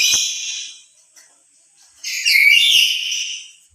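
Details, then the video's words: Loud call of a lory, a sound given when the bird is emotional: a harsh harmonic screech that fades, a pause, then a second, stronger rasping cry with a bent, whistled core. "Suara lebih keras sendiri dari pada bersama burung nuri lain"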